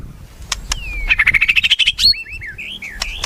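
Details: White-rumped shama: a long rising whistle leading into a rapid ascending trill, then wavering slurred whistles, with a few sharp clicks and low background noise.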